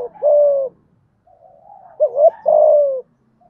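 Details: Thúc gù coo of a spotted dove with a deep thổ voice, meant to excite decoy birds. A long descending coo, a soft murmur, then a wavering note leading into another falling coo.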